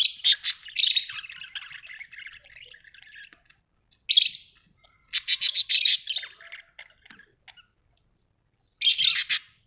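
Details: Australian budgies give fast chirping chatter: rapid scratchy ticks and squeaks, then a soft warble, followed by several loud bursts of clustered chirps separated by quiet gaps.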